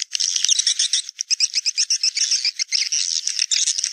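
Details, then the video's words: Naga Merah swiftlet call used to attract swiftlets to nests: high, squeaky chirps tumbling in quick succession, a busy twittering chatter with brief dips between phrases. "Suara Burung Wallet Naga Merah"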